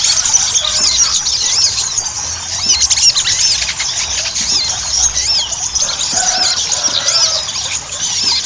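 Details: Ruby-cheeked sunbird singing busily, a recording meant to coax other sunbirds into song. Sharp high-pitched arched squeaks pour out in quick irregular runs, a few lower short notes mixed in, over steady hiss.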